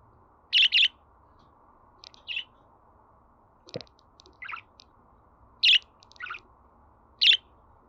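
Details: Budgerigar calling with short bright chirps, some in quick pairs, spaced irregularly over several seconds, above a steady low background hum.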